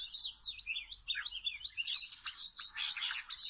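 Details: Oriental magpie-robin, wild, near rope snares, gives clear high whistles and swooping slurs, then clipped rapid chirps toward the end, loud and close.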